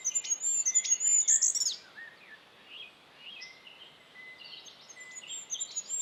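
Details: Goldcrest singing in Estonia: very high, thin, rapidly repeated notes ending in a brief flourish, followed by faint scattered high chirps against a steady background hiss.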